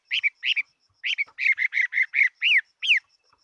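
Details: Chinese hwamei in competition singing, giving a fast run of loud, repeated slurred notes, the last two longer downward whistles, over a faint steady high background tone.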